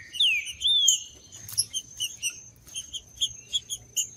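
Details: Green-winged saltator singing in the wild, used to stir up captive males: two loud slurred whistles, one falling and one rising then falling, followed by quick high chips from other birds over a steady high insect tone.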